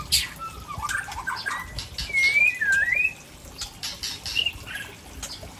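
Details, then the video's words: White-rumped shama of Tangse origin from Aceh delivering rare fill-in phrases: a few scattered whistles, then a bright slurred whistle rising and falling around two seconds in. Steady hiss and faint clicks run beneath. "Murai Aceh SMBF Ori Tangse Sedang Bongkar Isian langka"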